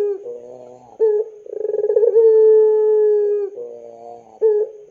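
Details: Puter pelung dove cooing as a lure for young doves: soft low notes lead into a loud coo with a fast throbbing start and a long level tone lasting about two seconds, followed by quieter notes.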